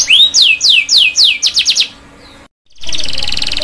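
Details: Canary singing for juveniles to learn: a rising whistle followed by descending slurred notes that quicken, a short pause, then a dense buzzy roll.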